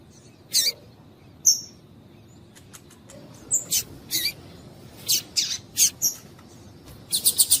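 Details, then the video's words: Female double-collared seedeater calling, used by keepers to stimulate a caged male to sing. Short, sharp, very high chips come singly and in loose pairs, ending in a quick run of four rapid notes. "Esquentar coleiro com fêmea de coleiro piadeira para Esquentar coleiro tui tui"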